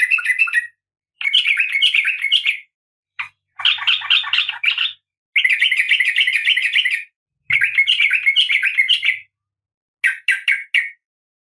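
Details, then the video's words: Oriental magpie-robin female in breeding condition calling the male with long buzzy, grating rattles one to two seconds long in close succession, ending with a few short separate chirps. "Suara Kacer Betina"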